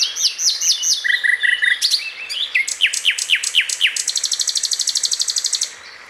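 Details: Common nightingale singing vigorously in the wild: quick varied phrases of high whistles and sharp downslurred notes, a steady piping series near the middle, ending in a long rapid metallic rattle of evenly repeated notes.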